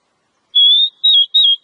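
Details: Wild oriental magpie-robin whistling: three clear, sustained notes, the first longest and the next two slightly wavering, in a quiet setting.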